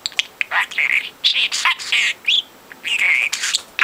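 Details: Hand-raised pet budgie aged four months talking nonstop: squeaky, buzzy syllables and short rising whistles packed into quick, speech-like phrases with tiny pauses.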